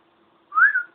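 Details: A pet male cockatiel sings a single clear whistled note that rises, then eases down; at times the owner played a recording of his own singing to encourage him to continue.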